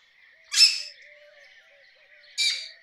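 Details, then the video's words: Rose-ringed parakeet giving two loud, harsh screeching calls nearly two seconds apart, over a steady background drone and faint low whistles. "Rose ringed parakeet Call"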